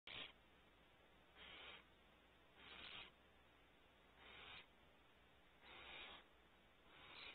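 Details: Barn owl owlets in a nest cavity at a ranch in California give harsh, breathy hissing screeches. Six broad, noisy bursts come about every 1.4 seconds, each lasting roughly a third of a second, with faint low background hum.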